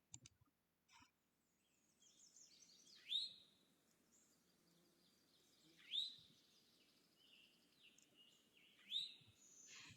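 Eastern Towhee giving a quick, rising two-note call, "chewink" or "tow-hee", three times about three seconds apart, with faint background chatter from other birds.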